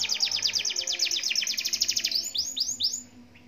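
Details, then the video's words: Young canary, four months of age, sings a quick high trill of repeated notes, slowing into a few separate upward-swooping whistles before fading. "Kenariku di umur 4bln"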